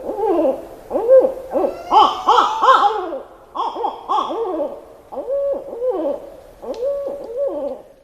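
Barred owls hoot back and forth in a lively chorus, with wavering, rising-and-falling hoots that overlap about once a second.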